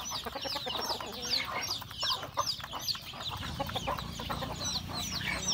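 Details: Hens and roosters of a rural home flock feeding at breakfast; high, falling chirps repeated in quick succession over murmuring clucks, with a low hum in the background.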